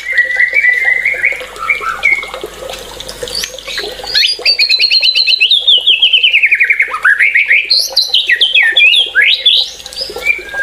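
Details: White-rumped shama in full song: warbled phrases, then a fast rattling trill sweeping downward and rising again, followed by loud jumping whistled notes.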